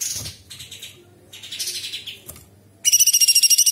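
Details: A captive bulbul sings scratchy, buzzy high phrases with mimicry of small birds, large birds and insects, then ends with a fast, sharp stuttering rattle of about a dozen notes in under a second. The song is used as training audio for songbirds.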